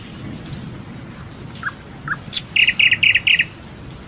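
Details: Nightingale in song: scattered soft slurred notes and high whistles build into a rapid series of six loud, harsh, chunky notes repeated in quick succession, then a final thin whistle.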